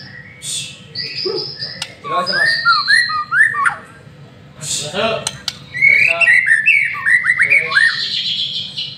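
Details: White-rumped shama singing a lure song as a master-trained bird: buzzy high phrases, descending harsh notes and bursts of quick rising whistles, with clicks and pauses between.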